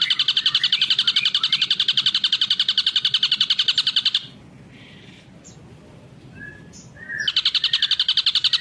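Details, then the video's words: Ashy drongo on a long-duration tutoring recording, giving a steady fast trill of pulsed notes for about four seconds, a quiet gap with faint soft notes, then the trill resuming. "masteran Srigunting abu durasi panjang"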